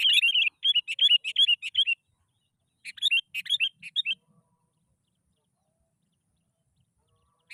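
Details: Sooty-headed bulbul singing as a lure to trigger song in other bulbuls, with quick bursts of sharp chirping, whistled notes in two main runs separated by a short gap, then silence.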